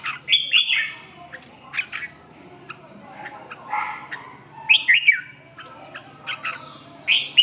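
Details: Just awake, a red-whiskered bulbul gives lively warbled whistles and quick chirps. The notes come in short clusters, with the loudest bright phrases near the start and the end.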